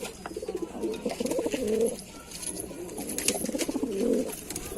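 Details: Two rounds of deep, rolling coos from Lalsara pigeons rise and fade, with faint high-pitched chirps and clicks in the background.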